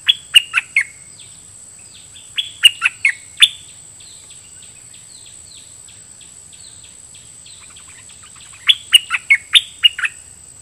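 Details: Decoy red-whiskered bulbul, Dok Taeng style, singing doubled phrases at wild birds. Three bursts of bright, downslurred whistled notes, four to six notes each, with softer distant bulbul-like notes between them.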